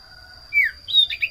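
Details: Common iora lure sound meant to prompt small birds to sing: a brief run of clear, sliding whistled chirps, the first falling and the next few quick and bright, over a constant thin high tone.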